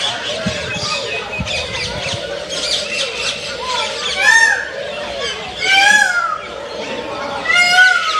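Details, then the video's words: A peafowl gives three loud, wailing, slightly falling calls about one and a half seconds apart over a steady murmur of voices, around feeding time. "Peacock sounds | Peacock Amazing Sounds"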